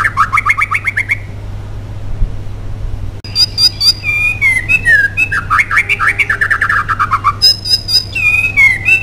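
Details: Energetic white-rumped shama singing, meant as a lure to make other shamas sing: a short burst of repeated notes, a pause, then sweeping whistles, buzzy trills and fast stuttered phrases, with constant low hum beneath.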